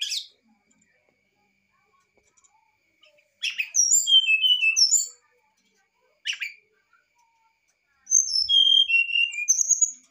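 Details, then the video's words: Brown-chested jungle flycatcher, a lively singer, delivering varied fluting phrases to stimulate a lazy bird: short bursts of high slurred whistles separated by silent pauses of a second or more, with sharp chips. "srdc gacor,pass untuk srdc malas bunyi/pancingan srdc ,sikatan rimba dada coklat nyuling variasi"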